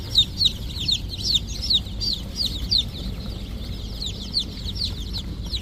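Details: On a chicken farm, clear high falling peeps repeat rapidly, a few loud ones rising above a softer crowd of chirping birds, with a steady low rumble underneath.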